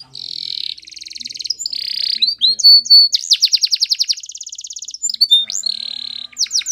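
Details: ['Canary singing a training song in varied tours: buzzy rolled trills, a rapid rattling series of sharp notes, clear downslurred whistles and a final steady buzzy trill, with brief pauses between phrases.']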